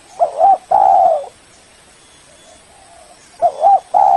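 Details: Spotted dove; lure call; calling a rival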